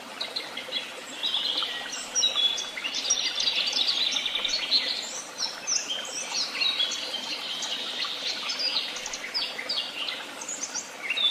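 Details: Several birds tweeting at once: busy, high-pitched chirping and fast twittering phrases overlapping throughout, busiest in the middle seconds, steady in loudness, with a faint hiss underneath and no other sounds.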